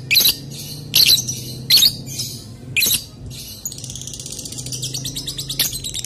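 A lovebird gives four shrill, harsh screeches about a second apart, then breaks into a fast, continuous high chatter.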